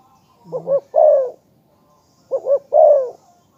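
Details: Lure call of a spotted dove, claimed to bring in others without fail: two deep, hollow coo phrases, a brief double note running into a longer sliding purr, the pair separated by a short silence.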